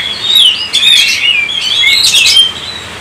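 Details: Kacer singing 'gacor' style as a lure: a long, smooth whistle swoops and bends, followed by crowded bursts of high chirps, then a softer trailing note.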